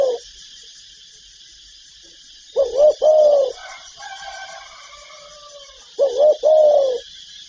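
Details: Full-repertoire calling of a spotted dove: two mellow coo phrases about three seconds apart, each a brief double note leading into a longer sustained coo, over a steady high hiss with faint sounds between.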